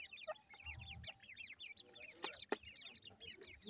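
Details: Several grey francolin chicks peep continuously while feeding, each note a short high squeaky up-and-down chirp, overlapping in a busy chorus, with a few sharp knocks partway through.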